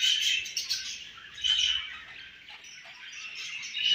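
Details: Home-bred baby budgerigars chirping: bursts of high, scratchy chatter with bright whistled notes, loudest near the start, at one and a half seconds and at the end, dipping quieter in between.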